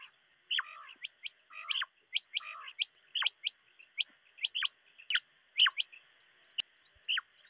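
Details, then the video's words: Quail give sharp, high, downward-sliding chirps, often in quick pairs and overlapping, about two per second, over a steady thin high-pitched whine. "сайроки бедана Садои Batair Ki Awaz Quail sounds بٹیروں کی آواز"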